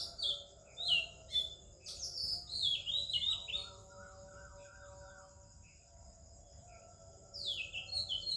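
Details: Oriental magpie-robin singing in the morning in India among other birds: bursts of rich, sweet whistled phrases sliding down, sung in two spells with a quiet gap, over a steady high insect-like hiss and a low hum.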